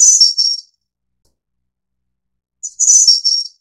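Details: Snowy-browed flycatcher of the Taiwan subspecies innexa gives two sharp, high-pitched jingling phrases about two and a half seconds apart. Each is a quick pip followed by a sparkling cluster of notes, in clean silence.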